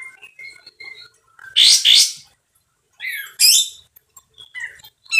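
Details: Singing sooty-headed bulbul, loud and harsh: light whistled notes, two strong raspy bursts, then slurred descending whistles and another harsh double burst, with faint notes between.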